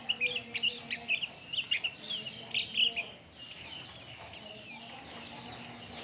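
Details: Oriental white-eye song meant to lure other birds into singing: rapid, high-pitched twittering chirps in quick clusters, louder in the first half, then a softer continuous chatter.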